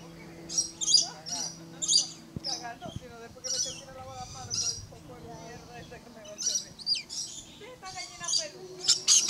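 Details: Captive Blue-streaked lory at Lion Country Safari, Florida, walking along a rope, giving harsh, high screeches in short bursts every second or so with softer chatter between, over a low electrical hum and a person speaking.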